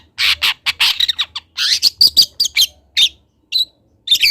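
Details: Juvenile long-tailed shrike of the local Kendal type practising song for training other birds: harsh buzzy squawks and clipped chattering notes in a fast run, tailing off into sparse sharp calls.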